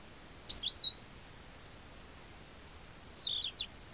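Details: Feeding at a winter feeder in countryside near Cavarzere, Italy, a European robin recorded by a camera trap gives short, high, twittering chirp phrases, one early and another about 2.5 seconds later, over quiet background hiss.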